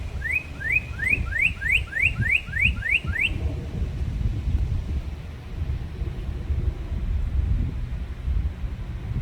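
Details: Red cardinal singing a quick series of about nine rising, slurred whistles, roughly three per second, then falling silent. A steady low rumble runs underneath throughout.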